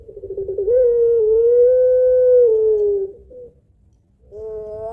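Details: Barbary dove, puter pelung, long-voiced lure call: a rolling stutter that runs straight into a smooth coo held around two and a half seconds and gently falling, then silence and the start of a new wavering note.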